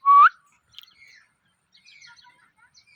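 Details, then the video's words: Parrot opening with a loud, rising whistled note, then a few faint scattered chirps trailing off into near silence. "Parrot Chirping Sounds | Natural Parrot Sounds | Parrot Calling Sounds"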